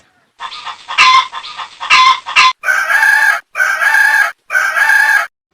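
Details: A chicken (Gallus gallus domesticus) gives harsh, hoarse squawks, then three loud, drawn-out, even crowing notes spaced about a second apart.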